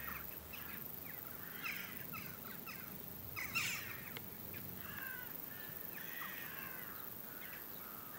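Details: A flock of Western jackdaws calling together before a storm, a scatter of short, sharp 'tchak' notes overlapping at an uneven pace, over a steady background rush of wind.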